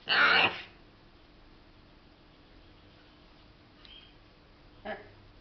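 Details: Indoor pet macaw at play with its favourite towel, letting out one loud, short, harsh screech, then quiet with two faint brief calls.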